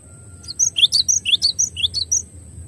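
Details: Java sparrow song used as a clear training recording: bright, high chirped notes in a quick series of about a dozen short bursts, steady constant high tone in background.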